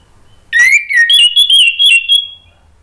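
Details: Short orange-headed thrush phrase meant to coax a bird into singing: a rising whistle, then a wavering, sustained whistled note, repeated in quick pulses for about two seconds.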